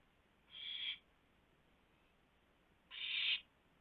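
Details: An owl at its nest, recorded 4:09 AM on 4 May 2016 as food is delivered and eaten inside; two drawn-out, noisy hissing screeches about two seconds apart.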